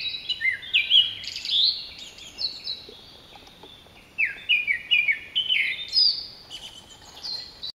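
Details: A Japanese thrush, hard to spot and filmed singing directly overhead in the mountains of Nagano, Japan, on 16 July 2011, sings two bright phrases of clear fluty whistles and quick slurred notes, each a few seconds long, separated by a short pause.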